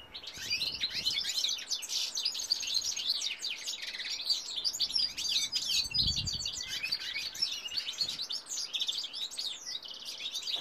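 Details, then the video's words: Singing goldfinch cock: a long, rich run of tinkling, buzzy twitters and rapid high chirps that hardly pauses, with a brief low thump midway. "goldfinch cock singing"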